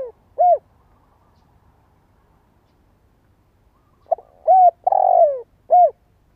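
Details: Spotted dove used as a decoy caller to prompt other doves and young birds to call. A lone short coo, then after a pause a phrase of clipped, hollow coos around one longer drawn-out, gently falling coo.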